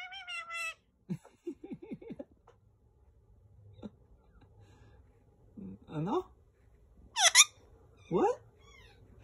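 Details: A male green Indian ringneck parakeet chatters in short, high, nasal phrases of mimicked speech such as "what are you doing", broken by a few sharp squawks, with quiet room hum behind.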